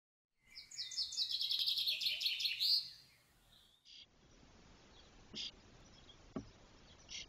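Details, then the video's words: Spotless starling nestlings, 21–22 days old and fully feathered, exploring the loft of their nest box in Doñana give a rapid two-second run of harsh, buzzy, high chirps, then scattered clicks and squeaks over soft hiss. "Estornino negro - Sturnus unicolor - Spotless starling"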